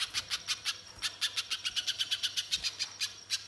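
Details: A banana spiderhunter sings as a lure to prompt other birds: rapid strings of piercing high chips, a short pause near one second, then a brisk, steady series through to the end over a faint low hum.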